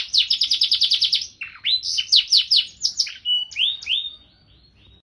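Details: Gacor canary with cengkok mewah: a fast rolling run of chirps, then slower sweeping notes and flat whistles, fading to a short quiet gap before a final note.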